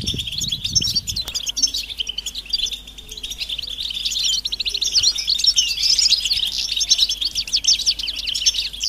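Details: Goldfinch twittering given as mating and readiness calls to stimulate males: a continuous high, jangling chatter of quick notes that grows denser and louder after the fourth second, with a short low thump at the start.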